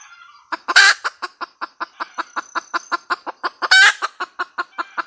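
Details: Red junglefowl hen giving a cackle of quick, evenly spaced clucks punctuated by two loud, grating squawks about three seconds apart.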